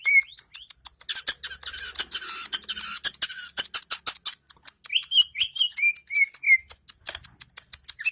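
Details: Long-tailed shrike, Indonesia, delivering a fast scratchy medley: harsh buzzing chatter for several seconds, then a series of short downward whistled notes, followed by more rapid clicks.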